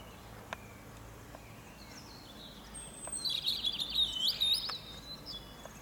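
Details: Quiet morning background with a few faint clicks, then a European robin on a fir tree delivers a short, sweet phrase of fast high warbling notes with thin sliding whistles.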